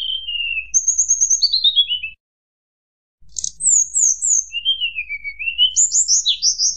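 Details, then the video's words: Tledekan gunung nyuling song, aimed at angering rival birds: whistled phrases dropping in pitch, a second-long gap, then sharp high notes, a dipping whistle and quick rising chirps. "mp3 tledekan gunung nyuling bikin lawan emosi"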